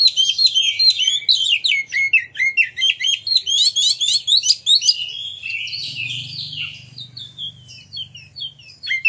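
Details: Oriental magpie-robin in full song, used as a lure to provoke other magpie-robins to sing and display: a rapid, varied stream of high chirps, whistles and sharp notes with brief pauses.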